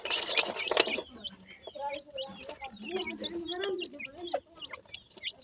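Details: After a loud noisy burst, grey francolin chicks keep up rapid high peeps, joined by softer, lower murmuring clucks in the middle of the passage.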